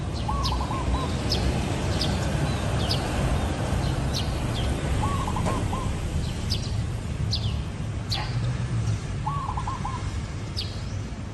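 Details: Zebra dove giving three short bursts of rapid, staccato, mid-pitched cooing notes spaced several seconds apart. Sharp high chirps from other birds are scattered throughout over a steady outdoor background hiss.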